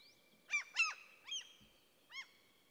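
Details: Common cranes calling in forest in the middle of Sweden: four harsh, ringing trumpet notes, two close together, then two spaced out, with a thin steady high tone behind.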